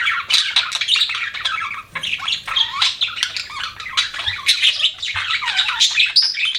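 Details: Pet budgie producing harsh squawks and grating chirps in a continuous, rough warble, loud throughout with a short dip near the middle.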